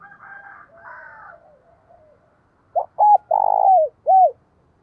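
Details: Captive decoy spotted dove calling, used to lure wild birds: faint mumbled notes at first, then after a pause a loud series of short, hoarse coos, one drawn out, each note falling away at its end.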